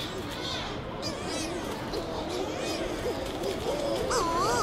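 Shearwater giving wavering, moaning calls that rise and fall in quick succession, growing louder toward the end over a steady hiss of background noise.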